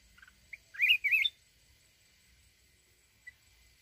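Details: Wild-style song of a mountain red-whiskered bulbul. A few soft chirps precede a loud, rolling, wavering warble in two linked bursts, then near silence with one faint note.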